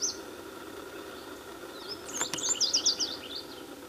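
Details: Red warbler (Cardellina rubra) giving a quick burst of thin, very high chipping notes, about a dozen in a second and a half, over a steady low background hum.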